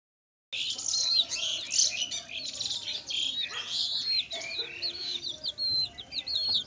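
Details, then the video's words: Several chicks chirping together, with a dense run of thin, high peeps and short sliding whistles overlapping continuously after a brief silent start. "Chicks Chirping"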